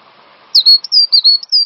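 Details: Short stretch of cinereous tit song from a master recording for training songbirds. After low background murmur, piercing whistled notes follow quickly, some sliding down, some held level.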